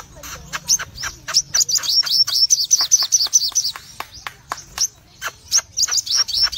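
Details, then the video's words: A red-eyed cremino Crimson sunbird sings a full-burst ngobra song. Shrill, high chips tumble quickly in dense runs, and brief pauses split the runs into phrases. "Sogon Gacor Ngobra Full Tembakan"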